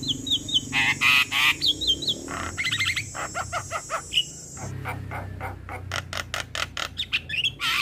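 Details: Calling male Javan myna, used as a lure to draw in other mynas. Mixed whistles, buzzy trills and fast runs of dry clicking notes. A continuous high-pitched tone lies under the first half.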